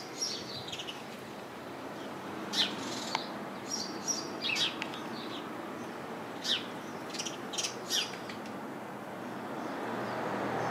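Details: House sparrows in a bush calling with scattered short high chirps, sparse and spaced by pauses of a second or more, some closer and louder, over a soft background hiss.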